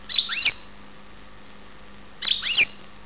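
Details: Two matching phrases from a European goldfinch in Ptolemaida, Greece: each a fast buzzy twitter ending in a high, bright whistle, about two seconds apart, indoors with no other sounds.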